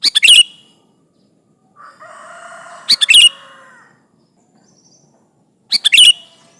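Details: Sooty-headed bulbul in lively song, calling out to rivals, played as a lure: three brief, loud clusters of rapid sharp chirps, with a lower, drawn-out droning sound between the first two bursts.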